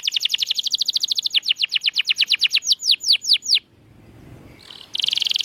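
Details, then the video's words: Canary song intended to coax mute canaries into singing: a fast, dense trill that slows into separate falling notes, a pause with faint background hiss, then a sudden return of high rapid rolling. "Kenari Gacor‼️Masteran Handal Pancingan Burung Bisu Agar Cepat Gacor Lagi"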